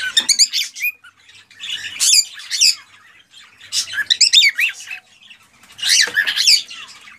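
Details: A male cockatiel sings in an excited way to stimulate a female to breed. Four bursts of dense, scratchy warbling and squawky notes come with brief gaps between them.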